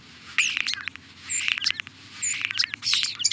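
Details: European starling song, a busy jumble of squeaky chatter, clicks and high whistles overlapping continuously, over a low background hum.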